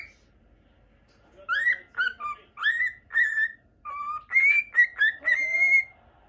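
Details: Caged male Normal Lutino cockatiel in Japan; varied whistled notes beginning after a quiet second, some dipping low, then higher drawn-out whistles toward the end.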